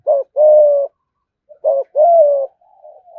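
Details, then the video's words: Caged spotted dove singing the thúc gù coo: two phrases, each a short hoot followed by a long even coo, with a faint soft trailing coo at the end. "cu gáy thúc gù"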